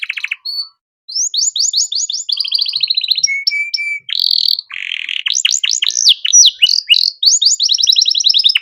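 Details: Canary delivering a luxurious cengkok mewah master song for tutoring birds in training. Bright high trills, rapid falling sweeps, brief flat whistles and harsh buzzy notes alternate in a fast, varied flow.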